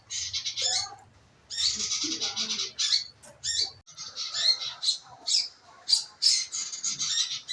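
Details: Scarlet minivet calling in a lure meant to make the bird sing: a run of rapid, high chattering notes after a pause, then sharper separate calls, with faint lower bird chatter behind.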